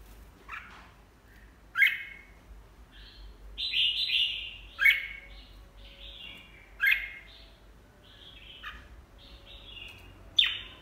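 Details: Red-whiskered bulbul repeating crisp, ringing song phrases about every two to three seconds, each opening with a sharp high note and running into a brief warble.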